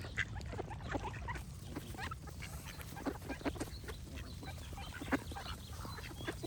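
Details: A group of ducks gives rapid, clipped quacks that overlap in a busy chatter, set against a deep steady background hum.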